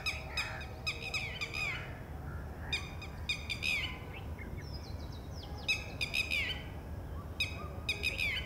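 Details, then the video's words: Red-wattled lapwing female giving warning calls toward a freshly hatched, wet chick at a ground nest while predators may lurk; sharp, ringing notes in rapid clusters of three or four, each cluster ending in a downslur, with short pauses and steady low background noise. "Red-wattled Lapwing egg hatches - female makes alarm calls"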